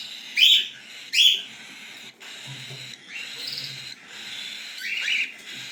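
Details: Cockatiel chicks giving two loud, harsh rasping calls close together early on, followed by quieter, drawn-out buzzy notes and a final rough call.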